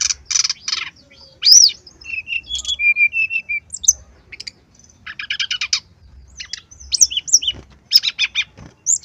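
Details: Varied, vigorous song of a brown-chested jungle flycatcher, used as a tutor recording: rough chattering opening, loud upslurred whistle, sweet warbled phrases and rapid buzzy chip series.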